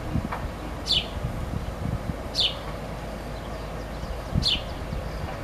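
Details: Baby sparrow chirping to its mother, three clear, high, downward-slurred chirps about one and a half seconds apart, with low rustling and rumbling background noise.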